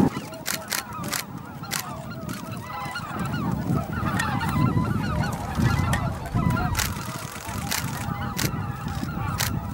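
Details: Greater white-fronted geese, about 15,000 birds, flying into their evening roost at Miyajima-numa marsh, Bibai, Hokkaido, Japan, 11 April 2016, 18:00–18:30; a dense chorus of overlapping nasal honking yelps, with low wind rumble beneath.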